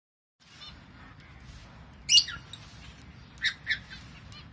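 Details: Male lovebird feeding a 42-day-old chick: a few short, sharp chirps, with one loud burst near the middle and a quick pair about a second later, over a faint low hum.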